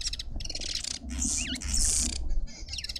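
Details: Arrow-marked babblers, up to four, in a suburban garden in Pretoria, South Africa, give harsh, rasping chatter in several bursts, with a couple of brief twisting whistles from another bird, over a steady low rumble.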